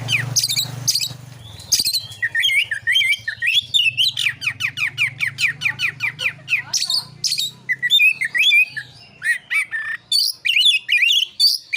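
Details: Oriental magpie-robin in aggressive narung song aimed at provoking other birds: long bursts of rapid, harsh downward-sweeping notes repeated many times, broken by short pauses, over a noticeable low droning hum.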